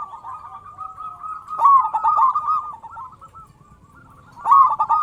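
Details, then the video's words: Local zebra dove with a loud voice, played to make other zebra doves sing: quiet trilled cooing swells into a strong rolled phrase, fades into a soft pause, and then another loud burst follows. "Perkutut Lokal Gacor Suara Besar Pancingan Burung Perkutut Agar Cepat Bunyi"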